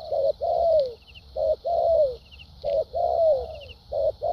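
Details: Newly caught wild spotted dove with a fine contest temperament cooing in structured style. A short note then a long, smoothly falling coo, repeated about every 1.3 seconds, with a continuous high hiss behind.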